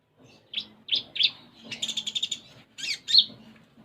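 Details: Sunda minivet (konin) singing vigorously in full isian style: a run of short high chirps at steady pitch, then a fast buzzy trill and two more bright chirps, all high-pitched, in a quiet setting.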